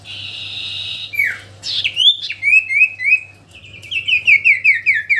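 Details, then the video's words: Common iora kept as a songbird, singing a long buzzy note, then a swooping whistle and a rapid series of bright, repeated chirping whistles gradually descending, with a low background hum. "Cipoh sirtu gacorrr"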